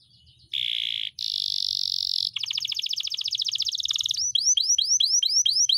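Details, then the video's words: Canary singing a long rolling masteran song used to tutor pet birds: a buzzy note, a brief gap, a rich buzzy phrase, then a rapid rolling trill, ending in a series of upward-sweeping whistled notes repeated about twice per second. "masteran kenari gacor,gacor (durasi) panjang ngeroll"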